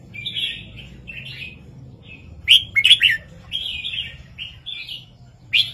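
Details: Red-whiskered bulbul singing a southern-style master song with 3-4-5 phrasing, used to stir caged birds. Short warbled whistled phrases repeat, broken by two loud, sharp, chattering bursts near the middle and a final bright note.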